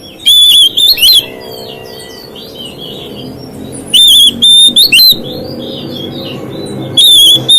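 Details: Oriental magpie-robin singing to provoke other magpie-robins: three bursts of loud, clipped, high whistles about every three seconds, with soft warbled notes between.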